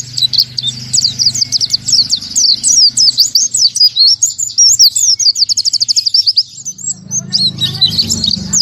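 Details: Oriental white-eye song, 'tembakan tanpa nafas' style: varied high twitters that break into a fast, tight trill of repeated notes, then resume as scattered chirps over a low background drone.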